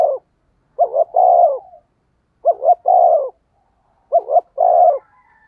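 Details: Spotted dove giving 'thúc gù' decoy coos to draw in wild doves: three even, low, hoarse phrases, each a quick double note followed by a longer steady coo, repeated roughly every 1.7 seconds.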